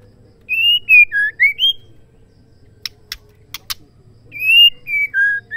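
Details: White-rumped shama female voice meant to spur males to sing: a run of five pure whistled notes, some rising and some dropping, then sharp clicks, then the same whistled phrase beginning again over faint low hum.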